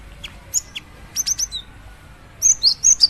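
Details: Female cinereous tit calling to its mate: isolated high chirps, a quick triplet, then a loud run of ringing, squeaky slurred notes.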